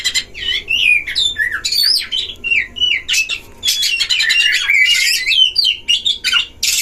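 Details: Duelling caged Oriental magpie-robins at a breeding cage, a lure for rival magpie-robins: continuous varied song of looping, sliding whistles and scratchy rasps, becoming a dense chatter in the second half.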